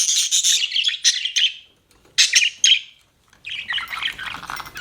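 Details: Budgerigar chattering in rapid, buzzy high warbles, broken by two brief quiet gaps before the twittering resumes.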